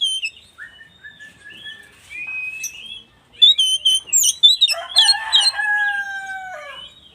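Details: West Javan oriental magpie-robin, whose song is said to provoke other magpie-robins, gives slurred mid-pitched whistles, then a rush of rapid high chirps and a lower harmonic drawn-out descending note.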